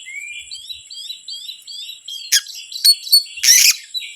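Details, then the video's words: Series of rising whistled notes repeated in quick succession by an Oriental magpie-robin, used to provoke other birds, followed by sharp clicks and a loud harsh rasping burst. "PANCINGAN BURUNG KACER YANG SUSAH PANAS 99%EMOSI"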